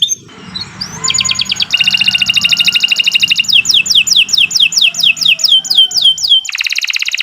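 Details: Canary, Kenari Nusantara, singing training song for other birds: a brief whistle, then rapid buzzy trill, a series of looping downslurred notes about three per second, and a closing fast rattle; faint low background hum.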